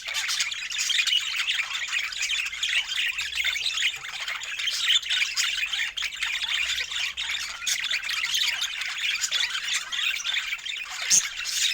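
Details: Budgerigars chirping with joy over fresh food, filmed in natural Scandinavian light; a dense, continuous warbling chatter of many high chirps and squawks overlapping throughout, with no music or words.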